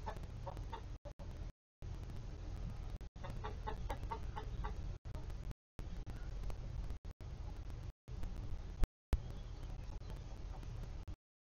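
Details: Mixed flock of Polish, Golden Comet and Easter Egger chickens in the coop on a live camera feed: quiet clucking notes, including a quick run of repeated clucks near the middle, over constant low rumble with repeated short gaps in the sound.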